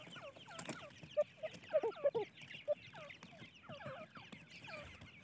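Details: Several francolin (teetar) chicks peeping at once, giving a dense chorus of quick descending chirps, some notes louder and sharper, repeated about three times a second.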